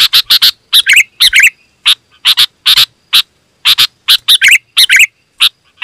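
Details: Loud, dense Sooty-headed bulbul song used to entice wild birds near: rapid series of sharp chirps interspersed with gurgling phrases, roughly two notes per second.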